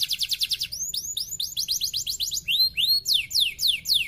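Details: Canary song used as a lure to get reluctant canaries singing: fast runs of bright, high trilled notes, each run of rising or falling slurred syllables repeated several times before switching to a new one, with a faint low hum underneath.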